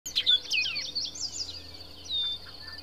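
An orchard oriole sings a rapid, jumbled run of bright whistles and slurred chattering notes, tumbling up and down in pitch, with a faint hum beneath.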